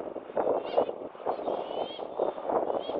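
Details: Black-tailed gulls at the Kano River mouth, Numazu, Japan, on 30 July 2023 give nasal, mewing calls, several birds overlapping in quick bursts roughly every half second, over steady background noise.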